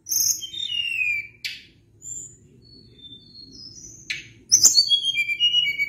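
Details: Sunda blue robin in lively song: high whistles sliding downward, sharp clicks, brief separated thin notes after a pause, then a rich run of descending whistled phrases, with a low faint hum underneath.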